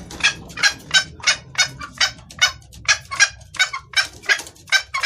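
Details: Female red junglefowl calling a male, a lure call: rapid harsh clucking, about three notes a second, fairly even, over a steady low hum.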